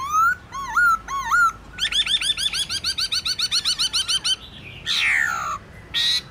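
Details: Black-throated laughingthrush forest-style song used to train caged birds: a few rising slurred whistles, a long even series of fast looping chatter, then harsh falling squeals.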